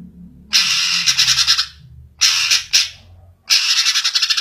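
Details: Greater green leafbird, Chloropsis sonnerati: three bursts of harsh, rapidly stuttered high notes, each about a second long, separated by short pauses, with a low faint hum beneath.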